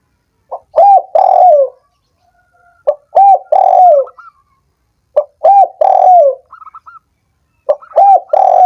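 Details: Spotted dove cooing used to prompt sluggish doves that have stopped calling: four phrases repeated about every two and a half seconds, each a clipped opening note then two full, mellow, falling coos, with a few soft high chirps in the pauses.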